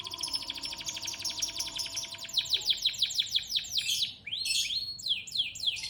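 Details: Canary singing a fast, high rolling trill of rapidly repeated sharp notes, about three per second at first, then speeding into a dense buzzy run before breaking into slower, fuller sweeping phrases; a faint steady hum sits underneath.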